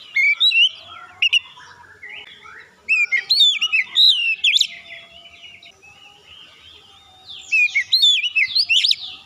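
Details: Oriental magpie-robin lure song to set other birds singing: bursts of rich, varied whistles and sharp upslurred chirps, separated by quieter gaps.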